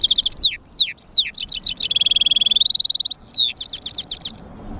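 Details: European goldfinch mule in song: high descending slurred notes, then a steady rapid trill of about a second, followed by more fast twittering chirps before it falls quiet.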